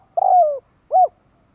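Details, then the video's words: Close spotted dove cooing, meant to draw in other doves: a long mellow coo that slides lower, followed after a short pause by a brief rounded coo. "Tiếng cu gáy chuẩn kích bổi nhanh nổi / Cu gáy kích bổi hiệu quả"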